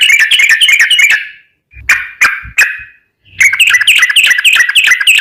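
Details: Trucukan, the yellow-vented bulbul, singing keenly as lure audio: dense bubbly chattering, three spaced harsh notes with faint low thumps, then another rapid liquid chatter.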